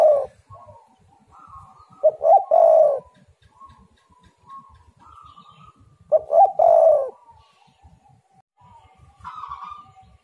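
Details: Spotted dove in a lure recording meant to make other doves call readily: two loud phrases of clipped notes rolling into deep rich coos about four seconds apart, separated by faint thin whistles and light background ticking.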